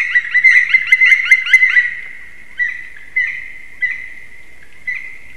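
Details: Black woodpeckers at a black stork nest site in Sigulda, Latvia, morning of 30 March 2021, three birds possibly disputing territory: a fast ringing series of about ten loud, even notes, then single spaced sharp calls every half second or so.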